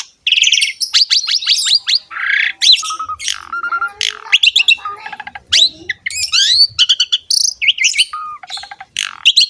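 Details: Asian pied starling singing a lively training song for stimulating other songbirds: rapid alternation of harsh chatters, clicking trills, rising whistles and level mid-pitched notes in quick bursts.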